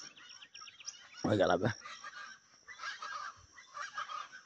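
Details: Chachalacas near a mountain village give a single loud, harsh, raucous chorus burst, with high repeated chirps from other birds and softer chattering calls behind. The caller reportedly is the male, and the birds lay eggs around April–May.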